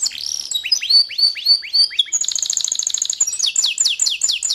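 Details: A canary sings a varied phrase: sweeping downward whistles, then a fast buzzy trill of tightly packed high notes, followed by quick descending repeated notes, all bright and high-pitched with a quiet background.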